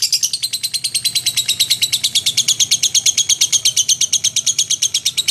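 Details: Lovebird in full voice, played to train magpie-robins: steady rhythmic run of shrill chirps, roughly three per second, slightly descending in pitch early on and then level.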